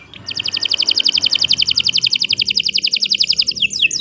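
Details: Long fast trill from a canary: many evenly spaced bright notes packed into a rolling buzzy chain, ending with a couple of sweeping whistles; low background noise beneath.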